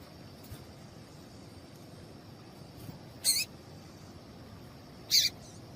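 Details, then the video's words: Female double-collared seedeater calling to stir a male into singing: two short, sharp, high chips about two seconds apart, with a steady faint high hiss in the background. "Piado de Fêmea de Papa capim"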